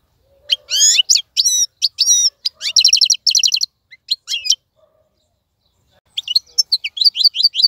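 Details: Wild-caught European goldfinch singing in a cage: sharp upward-sweeping chirps, a short rapid trill, scattered single notes, a pause, then thin high twittering.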